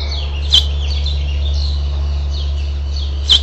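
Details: House finch nest, 12 June 2007, with the last fledgling urged to fly: two sharp high chirps almost three seconds apart, with a run of soft, thin, downslurred twitters between them over a low hum.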